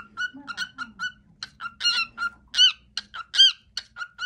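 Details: Pet male cockatiel singing his favourite song, which he does every day, indoors: a fast series of short whistled notes on a steady pitch, some louder and brighter, with a faint low voice in the background.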